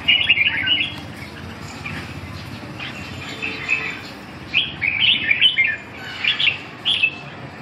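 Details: Red-whiskered bulbul in training, giving short clear whistled phrases: a quick warbled burst at the start, then several brief chirpy notes spaced about a second apart toward the end, with steady low background hum.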